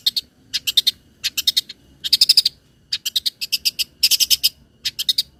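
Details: High harsh chattering from a long-tailed shrike, loud and clear, used to lure and train other birds. Grouped rasping bursts come in clusters of three to five, each cluster about half a second apart.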